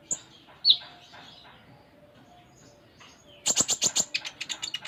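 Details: Van Hasselt's sunbird, called konin, in lively song: a lone high chirp and a sharp downslurred note, a pause, then a fast series of dry high ticks that fades out.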